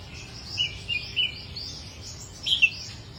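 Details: Chích nâu singing: a few short, high chirped notes in two brief bursts, separated by a quiet gap, over a faint low background hum.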